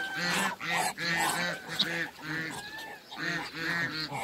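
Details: Muscovy ducks, two males and one female, in a backyard: a close, loud run of about nine rough, nasal, arched calls in quick succession over four seconds, with brief gaps between bursts.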